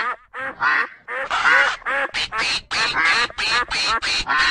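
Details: Duck on a pond with a duckling, quacking almost without pause, a dense overlapping stream of loud nasal, rasping calls, some drawn out, others short.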